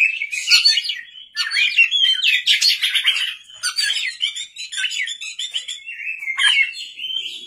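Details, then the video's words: Oriental magpie-robin singing vigorously at night, a lure recording meant to set other birds singing: a dense, varied stream of rich whistles, slurred rising and falling notes and sharp chirps with brief pauses, and no other sounds. "pancingan kacer gacor malam hari"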